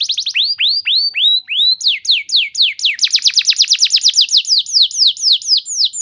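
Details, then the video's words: Canary lure song for training, sustained long-shot 'nembak panjang' style: slower swooping whistled notes speeding into a continuous rapid trill of high sweeping notes, repeated steadily without pause. "Terapi Burung Kenari Cepat Bunyi Gacor Dengan Suara Pancingan Kenari Gacor Nembak Panjang Ini"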